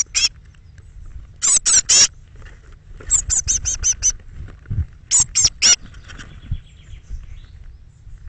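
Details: Eurasian blue tits at a nest box on 21 May 2017, where thirteen young left between 06:00 and 08:00 in the morning; repeated clusters of three to six sharp, high, rasping notes, separated by short quiet gaps and faint thumps.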